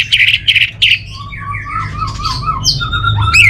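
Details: Three harsh, loud chirps open this orange-headed thrush phrase from North Bali, followed by a run of fluid, rising and falling whistles that ends in a high sweep, above a constant low background hum.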